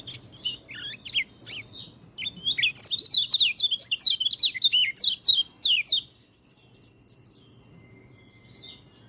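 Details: Training song of a white-eye, meant for birds that seldom sing: a few scattered high chips, then about four seconds of rapid, warbling twitters of looping high notes, ending abruptly into near silence with faint distant chirps.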